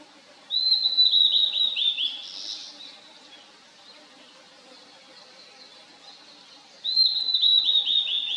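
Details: Wild blue-and-white flycatcher in a valley, delivering two bright whistled phrases about six seconds apart, each a quick run of clear notes stepping gently downward, with a faint buzzy trail and a low hum underneath.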